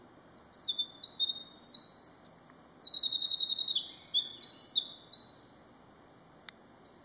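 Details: A Winter Wren singing at the edge of its territory very early in the morning gives a long, rapid six-second cascade of high tinkling trills and twitters; a Black-throated Blue Warbler and Swainson's Thrush are in the background.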